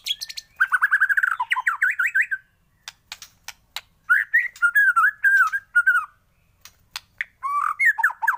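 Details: White-rumped shama song used as a morning lure to prompt caged birds to sing: loud, varied whistled phrases and quick rolling trills, sung in bursts separated by short pauses with scattered sharp clicks.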